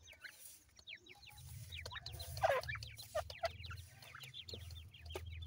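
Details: Grey francolin chicks feeding and playing peep constantly in quick falling whistles, with a few louder clucks midway, over a steady low rumbling hum.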